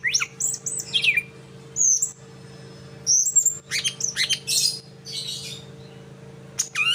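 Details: Greater green leafbird copying the song of the bird known locally as sikatan londo, with sharp high whistled slurs, some falling, and dense buzzy chatter bursts. A constant low hum runs underneath.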